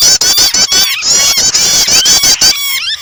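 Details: Short burst of prinia starter sound mixed with a distressed bird, for stirring other birds into song: quick, piercing repeated notes under shimmering high trills, ending in a rising, sliding whistle.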